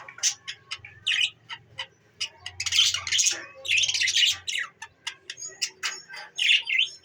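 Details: Pet budgerigars chattering: sharp clicks and chirps mixed with harsh buzzy phrases, a busy irregular stream over seven seconds, with a low hum underneath; recorded December 14, 2023.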